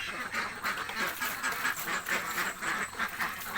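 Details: A flock of very hungry ducks in a village, quacking hard and fast; harsh nasal calls pile over one another in quick pulses with no quiet gaps.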